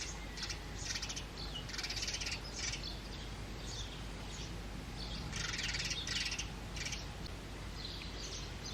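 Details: House sparrows feeding their two chicks in a man-made clay pot nest; rapid, raspy chirping bursts come in clusters, louder in two waves, against a steady low rumble.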